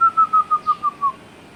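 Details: Parrot with its owner, giving a run of seven clear, pure whistled notes at a steady pitch, each short and evenly spaced about every 0.17 seconds and drifting slightly lower, then quiet.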